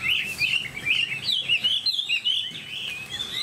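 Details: Bright whistled song from a tamed Chinese hwamei kept in a cage, quick undulating notes strung together with brief gaps, sustained throughout.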